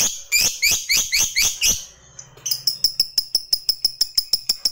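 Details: Fighter lovebird moving from 'ngetik' to 'ngekek' chatter, used as a lure: a burst of rasping, rising chirps, a brief pause, then a quick, regular series of thin, clipped high notes.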